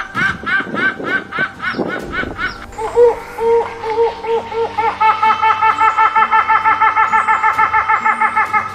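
Helmeted Hornbill giving loud, nasal hoots that speed up into a fast, rhythmic series, building toward a laughing, cackling climax.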